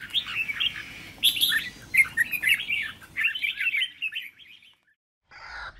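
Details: Red-whiskered Bulbul, a young caged bird being taught to sing by older birds; bright whistled, warbling phrases of quick slurred notes for about four seconds, then a pause, over a low background hum.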